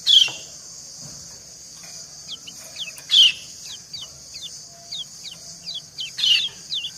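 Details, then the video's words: A female white-eye calls to a male and they reply to each other; soft, high, downslurred chirps come at fairly even intervals, broken by three louder sharp bursts, over a constant high hissing background. "Suara ciak kecial betina mendayu merayu jantan"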